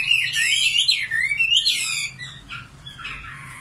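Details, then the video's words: Nightingale song fragment: loud, sliding whistled notes that swoop down and back up, followed by softer, fading chirps, over a faint low hum. "Singing nightingale. amazing bird song"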